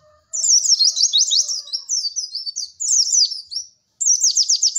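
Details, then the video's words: Pleci (white-eye) song of the cek cek werr type, recorded as a masteran: continuous high, sweeping chattering phrases of quick down-slurred notes, with a short gap before a final burst. "MASTERAN PLECI TERBARU PALING AMPUH CEK CEK WERR....."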